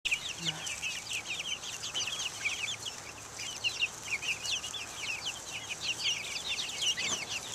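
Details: Buff Orpington, Black Australorp and Ameraucana chicks outdoors taking the air in 2010; a dense flock chorus of high, thin peeps, many short downward-slurred chirps overlapping almost continuously.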